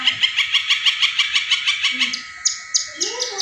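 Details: Long-tailed shrike's tengkek buto imitation, played to encourage other caged birds: a rapid, regular series of about a dozen ringing notes, then a few separate higher rising whistles.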